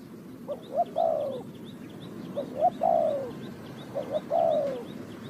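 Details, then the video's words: Spotted dove from Ninh Thuận, Vietnam, recorded in a bird-trapping setting: three repeated phrases, each two short low hoots followed by a longer, harsh, descending coo, with faint high chirps from other birds behind. "The Sound Of the dove,The Sound Of Cuckoo Bird,เสียงนกเขาใหญ่,Bird Trap,Cu gáy Ninh Thuận"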